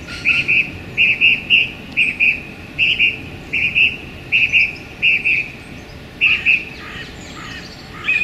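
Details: Loud male song thrush, singing hard in a small London park on a sunny January day, repeating a clear double note again and again in steady pairs, ending with higher scratchy twitters.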